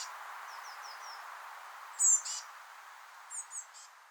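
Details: Eurasian blue tit chicks just out of the nest in a rowan, fed by adults: a quiet run of four soft descending peeps, then a loud, shrill high call burst, followed by a few more sharp chirps.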